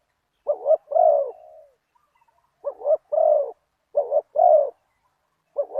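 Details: Big-voiced spotted dove (nok khao yai) decoy cooing at a target wild dove. Clear phrases repeat every second or so: a quick two-part note and then a longer, drawn-out coo, each trailing off softly, against silence.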